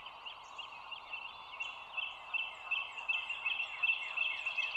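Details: Bald eagle on the Dulles Greenway nest camera, overhead view, morning 25 March 2022; quiet start, then a rising string of sharp, high chirping notes that grows louder toward the end, with faint higher birdsong behind.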